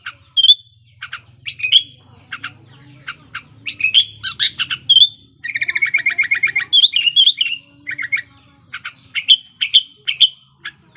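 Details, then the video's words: Sooty-headed bulbul, breeding condition, recorded to stir silent bulbuls to sing: lively mix of bright slurred whistles, clipped notes and a fast rattling trill in the middle, over a faint constant hum. "Suara Burung Kutilang Gacor Birahi Ampuh Untuk Pancingan Kutilang Malas Bunyi"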